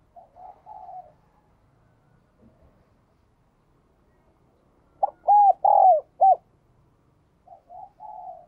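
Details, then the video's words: Spotted dove in the ringing 'giọng đồng kim' voice style. A soft short coo phrase is followed by a loud, clear four-note coo with rounded, bell-like notes, then another softer phrase, in otherwise quiet surroundings. "cu gáy/ cu gáy giọng đồng kim"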